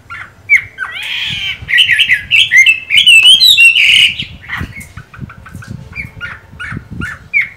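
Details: Singing Chinese hwamei, green-bean-eyed and moulting: a rasping upslurred start leads into bright, tumbling whistled phrases, then fades to quieter clipped notes and short warbles over a faint low hum.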